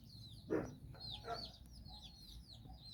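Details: Hen on a stroll with nine chicks exploring the world in Bizkaia, Basque Country. Two short, low clucks from the mother stand out against a steady stream of high, falling chick cheeps.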